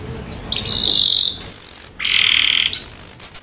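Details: Timbrado canary singing a sustained melody of long, steady trilled notes, each held for about half a second before jumping to a new pitch, some high and thin, one lower and fuller, rolling continuously with a faint background hiss.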